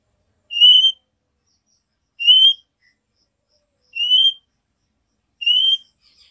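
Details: Female oriental magpie-robin giving the nyiul call to summon the male: a clear rising whistle with bright overtones, repeated four times roughly every one and a half to two seconds, with silence between notes.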